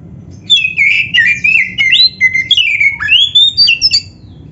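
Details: Oriental magpie-robin, a kept black-breasted songbird, in full varied song: loud clear whistles and slurred notes sweeping up and down, with rapid trills, phrases following one another over a few seconds; quiet low background hum.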